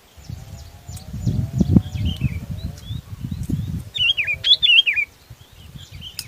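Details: Sooty-headed bulbul calling to its flock, with thin scattered whistles and then a clear trio of looping, warbled phrases, over low rumbling noise.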